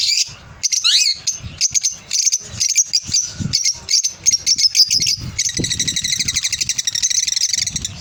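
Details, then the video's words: Lovebirds give a quick rising-and-falling squeal, then a series of sharp, high chirps with low knocks between them, ending in a long, even, rapidly pulsed buzzy chatter. "Love birds sounds"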